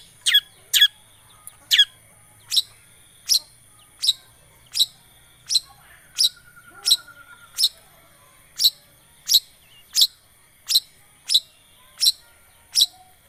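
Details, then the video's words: Long-tailed shrike lure used to make a silent bird sing: crisp, sharp ticking notes evenly spaced about every two thirds of a second, with a short faint whistle midway. "Pancingan Cendet Macet,putar 1detik dijamin pasti ikut gacor"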